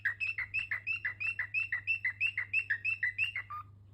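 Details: Rapid chirping from pet cockatiels: evenly spaced scratchy notes, roughly three each second, ending on a lower, softer note, with a steady low hum in the background.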